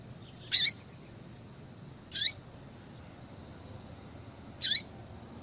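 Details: Four clipped high calls of a female yellow-bellied seedeater, a sound said to spur males into singing, spaced roughly two seconds apart, each ending in a short downward sweep over quiet hiss.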